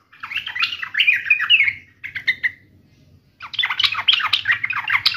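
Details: Sooty-headed bulbul in agitated fighting mode, singing a fast chattering run of short warbled notes, a brief phrase after a pause, then another dense burst of lively twittering.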